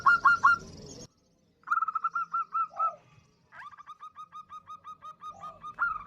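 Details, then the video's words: A local female zebra dove calls a male, used for luring: choppy segments of short downslurred whistled notes, separated by brief silences, some runs quicker and louder, others softer and evenly paced. "Suara Perkutut Betina Memanggil jantan AMPUH untuk Pancingan"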